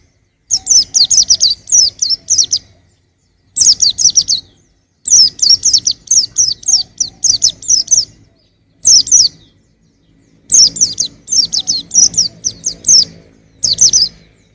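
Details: A young white-eye, recorded in 2021, delivers repeated rapid phrases of sharp, high descending chirps, each burst of about five to eight notes followed by brief silence.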